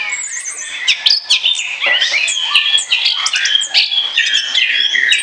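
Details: Orange-headed thrush singing in ngoceh ngeplong style for luring. Thick, busy stream of overlapping whistles, buzzy notes and trills with hardly a pause, louder and denser toward the middle.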